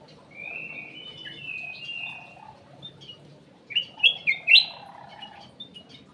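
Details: Ruby-throated bulbul (cucak emas) in an aviary, singing as a lure. A long, level, slightly buzzy whistle is followed by a lively cluster of loud, looping, up-and-down whistled notes, with faint hum underneath.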